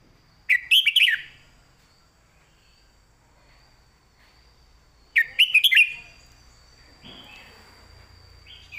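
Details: Caged red-whiskered bulbul in clearly phrased 'master song': two loud, bubbly phrases of rapid rising-falling whistled notes about five seconds apart, then a softer trailing note and a faint steady high tone.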